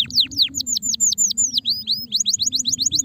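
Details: Canaries described as stressed sing loud arching whistled notes, then rising slurs and a fast run of short chirps, steady and rhythmic over a low hum.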